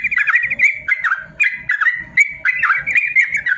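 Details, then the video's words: Training song for lazy caged yellow-vented bulbuls: a caged bird pours out quick chirpy notes, an opening buzzy trill and several falling slurs in a lively, unbroken flow. "BURUNG TRUCUKAN ROPEL PANJANG||AMPUH UNTUK MASTERAN TRUCUKAN MALAS BUNYI"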